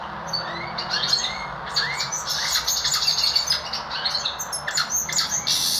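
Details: Goldfinch mule, bred from goldfinch and Lizard canary, singing actively: upward-sliding whistles, dry chattering notes and buzzy bursts in a lively run, set against constant low hiss.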